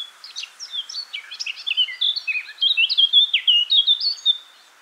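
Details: Eurasian blackcap in full song, a fast scratchy warble that builds into loud, clear fluty whistles over four seconds, notes tumbling in quick irregular succession.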